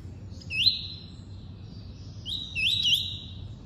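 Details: Double-collared seedeater singing the tuí-tuí song type, a caged bird: two bright whistled phrases, each a rising swoop into a long high flat note, about two seconds apart, over faint low hum.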